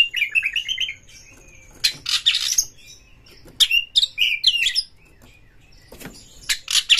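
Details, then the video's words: Oriental magpie-robin singing to provoke a rival into fighting: a quick run of warbled notes opens, then loud harsh, broadband bursts mixed with whistled slurs arrive in three separate clusters. "kacer MENCARI LAWAN TARUNG Pancingan Kacer GACOR bikin jebolnya birahi EMOSI BONGKAR ISIAN buka ekor"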